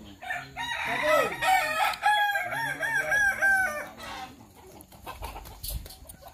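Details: Kukuak Balenggek rooster crowing during a practice contest in Sawah Lunto: one long crow of many rhythmic, stepped syllables, each arching up then dropping, about three per second, fading into crowd noise.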